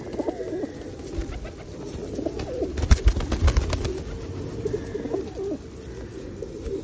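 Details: A flock of feral pigeons being fed at Osu Kannon temple, Japan, on a rainy day in 2021, giving low, soft cooing, with sharp bursts of wing flapping and scuffling midway and a steady wash of rain behind.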